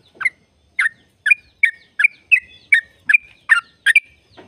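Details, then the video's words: Sooty-headed bulbul song used to stimulate caged birds to sing: bubbly, slurred notes, each a quick rising-falling chirp, repeated about every half second in a loose series of nine phrases against a quiet background. "Jadikan burung trucuk gacor trucukan gacor tempur ropel panjang"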